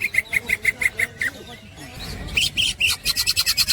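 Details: Green leafbird 'ngekek' snickering song from a songbird training master: a run of evenly spaced sharp notes, a brief pause, then higher, rising, faster repeated notes.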